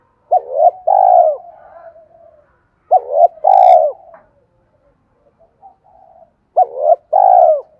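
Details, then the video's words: Spotted dove cooing, a call used to lure wild doves: three phrases of a short double note then a long pulsed coo, each ending in a falling tail, with faint cooing from other doves between phrases. "tiếng cu gáy Thúc cực đỉnh dùng kích bổi rất hiệu quả"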